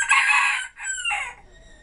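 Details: At 2 pm on 1 December 2014, a five-toed Silkie rooster that had crowed about four times before filming gives one hoarse, broken crow in three quick parts. It is loud at first and trails off within about 1.5 seconds, responding to another rooster crowing.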